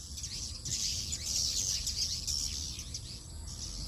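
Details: Swiftlets returning to roost at 17:50 in the evening, Indonesia: a dense flock of high, thin chirps and twitters overlapping continuously, with a steady low hum underneath.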